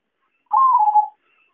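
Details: Zebra dove cooing used to lure birds into traps: one clear, fast-trilled phrase of about half a second, lifting briefly and then drifting downward, in quiet surroundings.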